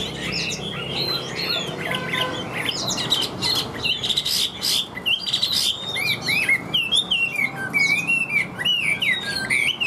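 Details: Caged Chinese hwamei singing tirelessly in a steady voice. Its fig-leaf tail and wings are used in display. Loud, fluid whistled phrases rise and fall and slur quickly, delivered in rapid bursts with brief gaps over a faint low background hum.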